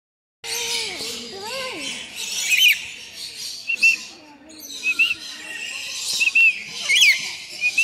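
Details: A red lory (Eos bornea) gives harsh, rasping chatter with sharp high squawks every second or so. Low voice-like tones run underneath early on.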